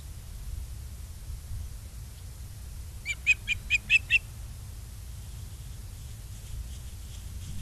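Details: Ospreys at a nest in Charlo, Montana, on 22 August 2023 in the afternoon: a series of five short, piercing whistled chirps rising slightly, about one every quarter second, over steady low background rumble.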